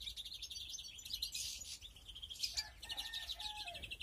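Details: European greenfinches breeding in an aviary during 2021 give fast rattling twitters and a brief harsh burst, then lower falling whistled notes.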